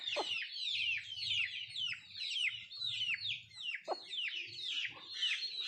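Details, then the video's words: Country chickens at feed: rhythmic shrill downward-sweeping peeps, close to two each second, layered from several birds, with low rumbling and pecking sounds beneath. "Nattu kozhi Food eating and sound effect"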